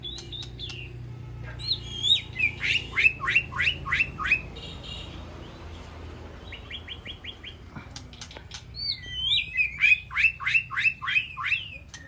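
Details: White-rumped shama calling to its flock inside an aviary, giving high whistled notes and rapid series of sharp downslurred notes, a short quiet gap, then another string of loud repeated notes.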